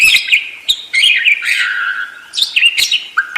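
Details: Budgerigar warble, continuous and chattering, with buzzy trilled notes, wavering whistles and sharp clicks running almost without a break.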